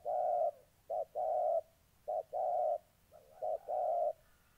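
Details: A moulting spotted dove used as a decoy in Gia Lai, Vietnam, eager to fight wild doves, 14 August 2020. It gives low, hollow coos: a long opening note, then short-long pairs with a hiccup before each drawn-out coo.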